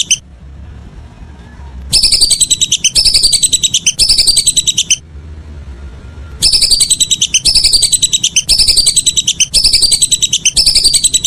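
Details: Whistling duck heard in the evening: after a quiet opening, three one-second bursts of fast whistled notes, a short pause, then five more bursts in steady succession.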